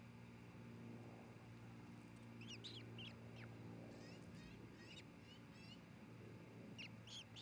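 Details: At an osprey nest in Charlo, Montana, filmed by a nest camera on 27 June 2018 while the pair builds and mates: scattered thin, high chirps in loose clusters throughout, over a low continuous hum.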